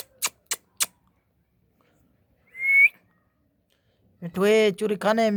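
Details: Indian ringneck parakeet, a talking pet parrot, producing three quick clicks, a lone rising whistle, then a stretch of rich, harmonic, speech-like chatter.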